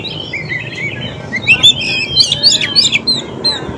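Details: White-rumped shama song used as a lure to attract wild birds: quick bright chirps and whistled notes, rising and falling, clustered between 1.5 and 3.5 seconds over low background hiss.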